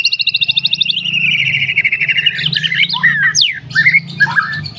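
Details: Energetic F4 white-rumped shama song opening with a fast, high pulsed trill for about a second, then a sustained whistle sliding into jumbled varied notes and sharp downward sweeps, over a faint low hum.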